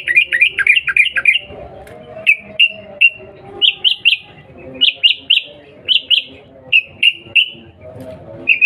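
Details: Sooty-headed bulbul, a female calling a male, used as a lure to provoke a fast reply: a quick run of rising-falling chirps, then spaced pairs and triplets of bright whistled notes, with faint lower background sounds.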